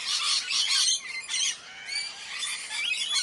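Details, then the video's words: Harsh, screechy cries from Indian parrots, loud at first, then thinner drawn-out squeaky notes overlapping in a steady high-pitched clamour. "Indian Parrots"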